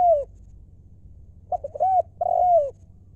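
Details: A wild Thai spotted dove, used as a ground decoy, sings the lio style. The tail of one phrase fades out, then short stuttered coos lead into a long, smooth, slightly falling final coo. A faint low hum underlies it.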